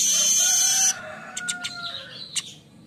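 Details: Streaked weaver in morning song, kept as a tutor recording for other birds: a loud high sizzling hiss with a thin whistled overtone breaks off abruptly, followed by a few soft scratchy ticks and a faint falling whistle.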